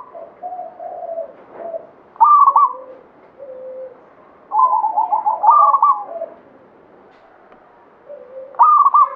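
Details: Zebra dove of the local katuranggan Banyumili kind cooing: loud clipped phrases, one preceded by a rapid pulsed trill, with soft low coos in between.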